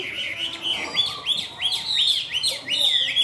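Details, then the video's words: Chinese hwamei, a caged bird, delivering ornamented warbling song: a fast string of bright, high whistled notes, each rising then falling, repeated roughly three times a second, clear and loud over a quiet background. "Họa Mi Cao Cầu Bóng Bộ Đẹp Hót Tốt, Gật Gù Luyến Láy Chơi Rất Hay"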